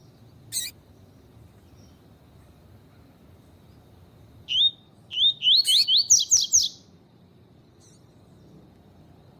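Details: Double-collared seedeater (Sporophila caerulescens) gives a single sharp chip, then a quick two-second run of about eight bright, high, rising-and-falling whistled notes, in a recording that features a calling female.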